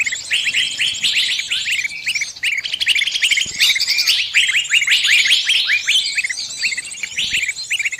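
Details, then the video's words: Bird stuck in a trap, appealing to its friends for rescue: fast, agitated chirping with about 158 short notes a minute, shrill and layered, rising to a denser chorus midway. "Suara burung kejepit & mintatolong ke teman teman nya"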